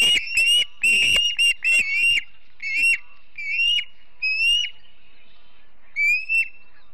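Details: Wild ospreys at the Charlo nest in Montana on a September morning: quick run of sharp, high whistled chirps, slowing into separate upslurred whistles about every half second, then a final double whistle.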